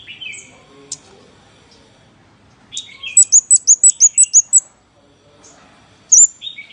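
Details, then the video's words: A scarlet-backed flowerpecker gives a quick run of about nine high, sharp ticking notes, with scattered thin high chips before and after. "Suara Pancing Burung Cabean merah | Burung Cabai Merah | Sepah Puteri | Chirp of Birds / Chim Ốc Mít"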